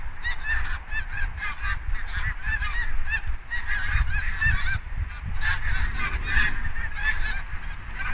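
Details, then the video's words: A large mixed flock of Canada and Snow geese migrates in Quebec, Canada, in October 2022, at season's end as the ground starts freezing at night: continuous overlapping nasal honks and yelps over a steady low rumble of wind. "Canada goose & Snow goose migration \ Bernaches et Oies blanches en migration"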